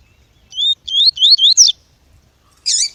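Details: Double-collared seedeater (coleiro tui-tui), a male and a female calling, used to stimulate tournament birds: four quick, high, slurred whistled notes rising and falling, then a brief buzzy burst after a pause.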